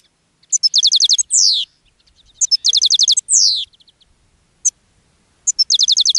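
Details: European goldfinch singing in a cage, drawing in other goldfinches; quick bursts of rapid repeated metallic trills, each followed by a long downslurred buzzy note, with short pauses between phrases.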